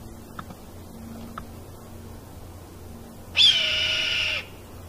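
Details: A Red-tailed hawk screams in Delta on 31 January 2018: a single hoarse, harsh, high, raspy scream of about one second, after a few faint clicks against a quiet background hum.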